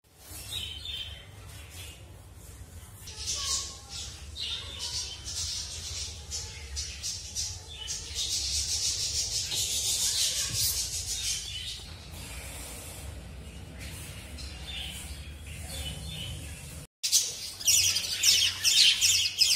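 Budgerigars chatter constantly in high, scratchy warbles and squawks over a low background hum.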